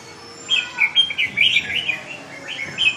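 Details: Tail-less red-whiskered bulbul still fighting fiercely: bright, warbled chattering phrases in quick bursts, rising and falling, several short notes grouped close together, with a quiet, faintly noisy background.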